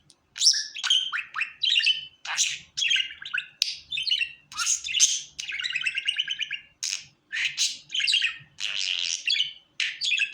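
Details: Long lively warble from a happy pet budgerigar: rapid chirps, squeaks and buzzy trills strung together with hardly a break, including a rattling buzzy stretch midway, faint hum beneath.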